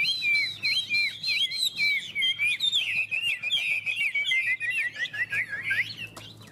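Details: High, fluent whistled warbling from Chinese hwameis singing against each other. Looping phrases pour out almost without pause, rising and falling quickly, with a loud, lively delivery.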